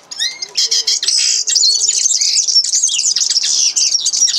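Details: Singing common linnet giving a fast, unbroken jumble of bright twitters, buzzy rattles and thin whistles, opening with a couple of clear slurred notes before settling into dense, energetic high-pitched warbling.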